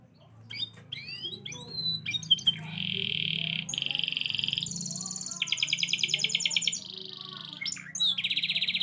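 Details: Canary in song: varied sweeping whistles and chirps at first, then long buzzy rolling trills held steady at different pitches, several in succession, with a low hum underneath.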